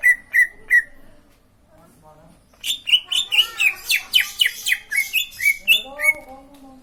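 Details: Green leafbird singing to draw other leafbirds into answering: three quick chirps open, followed after a gap by a lively, rapid string of squeaky, slurred notes repeated several times per second.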